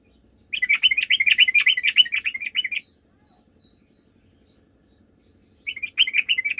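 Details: Sooty-headed bulbul singing vigorously, a recording played as a lure so that other bulbuls call back. A dense, rapid, bubbling chatter runs for over two seconds, pauses in silence, then the same lively chatter starts again.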